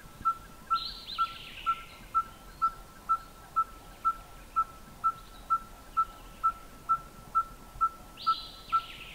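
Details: A Red-fronted Tinkerbird in southern Africa, calling from the top of a bush as a song post, gives a monotonous run of pure, hollow piping notes, about two per second on one mid pitch, with brief buzzy calls from other birds behind.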